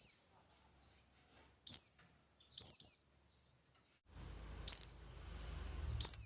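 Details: High, falling chirps from a buxtoni white-eye in ngalas song, played to make other white-eyes respond; notes come singly and in pairs, with a low hum creeping in near the end.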